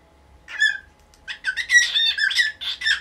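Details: Nineteen-year-old caged cockatiel squawking at dawn to get its cage cloth moved away. Harsh, broken squawks and chattering notes come in uneven bursts, with soft low thumps and fluttering in the background.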